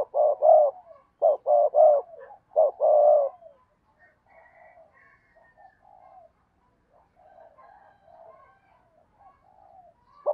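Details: Decoy spotted dove kept to draw in wild doves, delivering a run of five low, hollow coos over the first three seconds, followed by quieter, softer murmured cooing notes and a final short coo.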